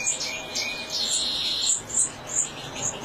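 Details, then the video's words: European goldfinch, given as the original goldfinch song (Major), 2017, sings a bright, high tinkling twitter: quick, thin notes repeated about twice a second over a faint hiss. "صوت الحسون الأصلي"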